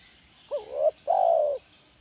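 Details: Spotted dove in energetic "kuk 1" song, played to train captive doves: a brief, rising, hollow note that swells into a coo, a short pause, then one long, smooth, level coo on a quiet background.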